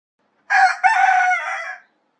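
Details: Rooster crowing: one loud, harsh cock-a-doodle-doo lasting about a second and a half, with a short first note and a long, held, slightly falling ending, in otherwise silent surroundings.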